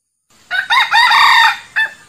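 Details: A real wild male red junglefowl, recorded for use as a lure call, gives a brief, clipped crow: a short opening note, a longer harsh middle phrase, then an abrupt final note.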